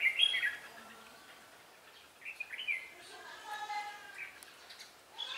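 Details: During trapping at Ba Thá, Vietnam, on 17 December 2016, a red-whiskered bulbul said to vary its voice gives brief bright warbling phrases, with a fainter, lower, drawn-out call and soft background noise in between.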